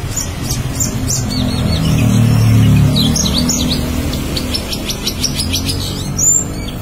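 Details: Black-winged starling singing energetically, its song described as loud and melodious: a rapid run of sharp, high chirps and short whistled notes, some slurred downward, over a steady low rumble of traffic.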